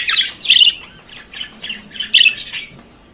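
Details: Budgerigar in the morning giving a few harsh chirps and squawks, the loudest at the start and near two seconds, with quieter warbles between.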